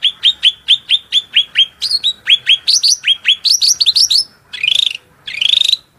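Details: A shrill cucak rante song used as tutor audio for training other songbirds, with quick repeated downslurred whistles, several per second, ending in two longer rising buzzy trills; no other sounds.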